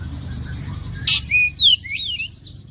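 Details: Oriental magpie-robin (kacer) song played as bait to make other birds sing: a short sequence of clear whistled notes, first level then sliding and falling, with a brief noisy burst before them over a faint low hum.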